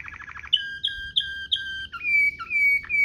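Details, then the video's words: Canary singing in Waterslager rolling manner as a tutor recording: a brief rapid trill, four clear sliding whistles, then longer descending whistled notes. "NGEROL MEWAH ala WATERSLAGER, cocok buat Masteran burung kenari cengkok mewah"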